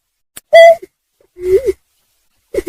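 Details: Greater painted-snipe call, used as a lure for trapping: a loud, clear hooting note held briefly, then a lower, softer hoot that rises and falls, and the start of another low hoot at the end. The surroundings are quiet.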